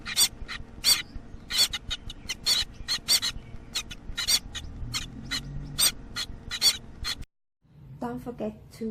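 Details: Baby Gouldian finches about one week old, fed by their parents, give quick raspy, hissing begging bursts several times a second, breaking off into a brief silence before softer voice-like sounds.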